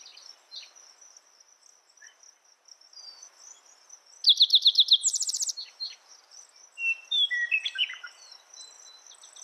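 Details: A single spotted towhee phrase: about five clipped notes then a dry buzzing trill, followed by scattered whistles and chirps from other birds, all over a continuous high-pitched insect buzz.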